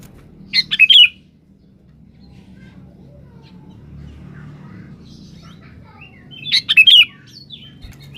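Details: Sooty-headed bulbul calling a rival in vigorous song, used as a lure: two identical bubbly whistled phrases about six seconds apart, separated by quiet low rumbling background.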